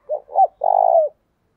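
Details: Single coo phrase from a decoy spotted dove calling wild doves: two short soft notes followed by one long, steady, hollow coo that falls slightly at the end.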